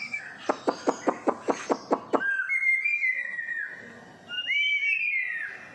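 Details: White-rumped shama, six and a half months old with its tail not yet fully grown, singing in the morning in Singapore: eight sharp rhythmic clicks about every quarter second, then long clear whistled phrases, smoothly rising and falling.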